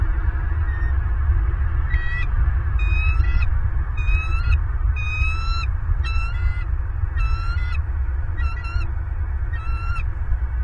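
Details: Bald eagles at a Southwest Florida nest, filmed by nest camera on 28 December 2022, giving a steady series of high, squeaky, stuttering chatter notes about once a second over a heavy low rumbling hum.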